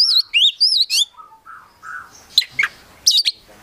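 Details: Oriental magpie-robin, a promising bird from a collection, in full-content song packed with varied phrases: loud whistled notes sliding up and down, quick chirps and sharp trilled bursts, delivered in clusters with short pauses between them.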